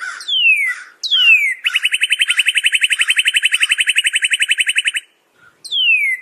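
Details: Northern cardinal song with two falling slurred whistles, a steady, very fast trill of repeated notes for over three seconds, and a final downward whistle after a short silence.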